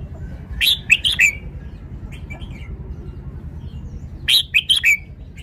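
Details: Red-whiskered bulbul kept as a cage songbird repeats its short lively phrase twice, each a run of four or five bright whistled notes, separated by about three seconds of soft distant chirping over low background noise.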